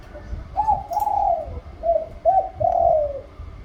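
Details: Spotted dove singing in the liu tan style with a rising middle voice: one phrase of soft, low, hollow coos, a short lead-in then longer drawn-out notes, over faint low background rumble.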